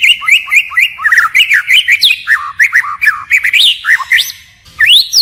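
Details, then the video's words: White-rumped shama singing in forest style, shifting voices continually; fast rhythmic chirps and looping slurred notes, varied and rapid, with a brief pause near the end before a high rising whistle. "Chích chòe lửa hót giọng rừng hay đảo giọng liên tục"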